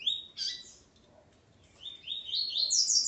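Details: Ponto 50 Coleiro male beside his Calibre 40 female; a bright opening whistle, a pause, then a run of rising slurred notes climbing steadily higher.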